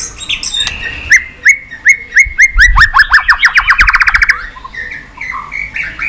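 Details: White-rumped shama song for training and exciting birds: sliding whistled notes repeated in a series that speeds up into a rapid, rising trill, then ends in a few lower, softer whistles.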